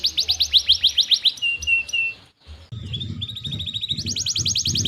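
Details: A singing canary, used as a lure for canaries that rarely sing, gives rapid repeated sweeps and flat pulsed notes, breaks off briefly, then resumes with a softer fast trill over low background thumps.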